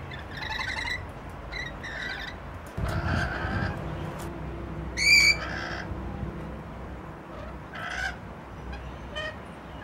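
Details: Rainbow lorikeets in Lindfield playing peek-a-boo: scattered short, harsh screeches and shrill squeals at irregular intervals, one louder piercing note near the middle, over a constant background rumble.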